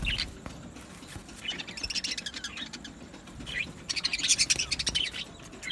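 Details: A budgerigar flock in an aviary colony singing: busy twittering chatter with rapid high chirps, building into a dense, excited burst of overlapping squeaky warbling near the end.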